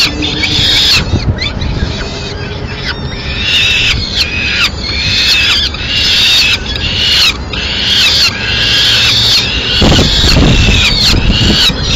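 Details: Female peregrine falcon arriving with pigeon remains as a late snack in Madrid, 30 April 2016: harsh, rasping calls repeated about once a second, strongest high up, over a low rumbling background.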